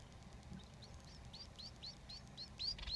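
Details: Begging from three baby Society finches fed by their father: a series of rising, hooked high chirps, about four per second, starting soft and swelling louder until the last notes are sharp and strong.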